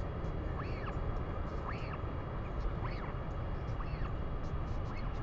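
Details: A northern royal albatross in New Zealand on 3 May 2020 gives five nasal, arched calls, each rising then falling, about one a second, over a heavy low rumble of wind.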